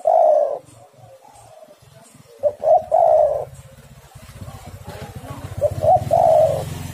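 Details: Spotted doves outcalling one another as a lure recording. Mellow coo phrases, with clipped notes leading into a sustained coo, repeat over a low rumbling background that grows louder.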